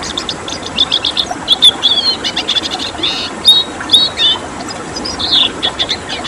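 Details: Red siskin 'tembakan' song recorded as training material for pet birds: bursts of quick chirps alternating with pure whistled notes and brief buzzy phrases, irregularly spaced, over a hissing background.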